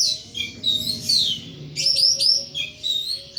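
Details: A caged thrush sings nonstop in ngeplong fashion. Bright whistled slurs alternate with rapid, sharply rising notes in a lively, varied stream, with a soft low hum in the background.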